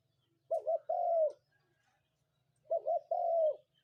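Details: A spotted dove coos in the morning: two clipped notes and a long smooth coo, the same phrase given twice about two seconds apart, with a faint low hum behind.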